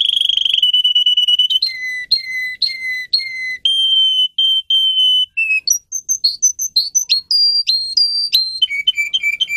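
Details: Russian song canary changing through varied tours: a buzzy opening trill, then repeated lower whistled notes, held pure tones, rapid high chips, and a final quick rolling series. The song is used for teaching young canaries to sing.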